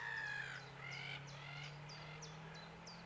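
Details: Black-headed gull calling: a drawn-out harsh note, then a quick run of short, clipped, downward-slurred cries, over a constant low hum.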